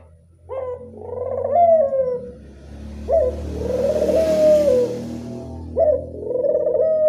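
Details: Local Barbary dove giving classic-style angungan cooing: a short sharp note, then a long, low, slightly wavering coo about two seconds long, repeated three times over steady low rumbling background noise.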